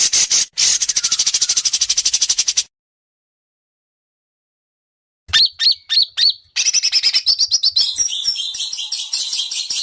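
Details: Competing white-rumped shama in Indonesia: a fast buzzy rattle, a long silence, then loud separate notes, quick repeated chips and varied whistled fragments, its sharp besetan praised by judges.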